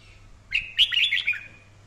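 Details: Daily voice-training recording of a red-whiskered bulbul singing well and with fire: a single lively phrase of slurred, chirpy whistled notes tumbling up and down, about one second long, over a faint steady hum.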